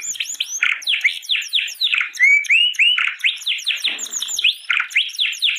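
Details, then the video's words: Canary song used as a training master for other canaries: a rapid, continuous stream of high chirps, trills and sweeping whistled notes, densely packed and varied, with bright upward and downward slurs throughout. "kicau burung kenari"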